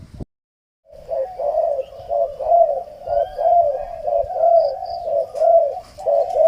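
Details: Spotted dove (Spilopelia chinensis) cooing, a low, soft, throaty coo repeated about once a second in an unbroken run, with faint high chirps from another bird.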